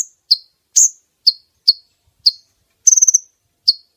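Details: Brown-throated sunbird female calling to attract males for trapping; single piercing high chirps spaced irregularly, one brief fast trill near the end, nothing else audible.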